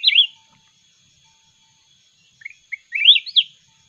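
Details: Red-whiskered bulbul from the mountains singing in a contest: a warbled phrase ends at the start, a pause follows, then quick chirps build into another sweet, looping warble. A faint continuous high tone sounds behind.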